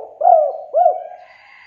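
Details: Spotted dove giving two soft, hooked coo notes, the first slightly longer, with faint background hum. Used as a lure to encourage reluctant doves to call.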